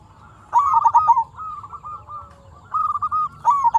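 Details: Zebra dove, a local bird singing as a lure for other zebra doves: a loud bubbling phrase of quick coos, then a calmer run of evenly spaced notes, then another rolling burst near the end.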